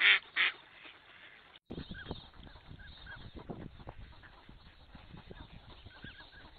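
A duck gives two loud, harsh nasal calls at the start, then quieter scattered calls among background noise and knocks.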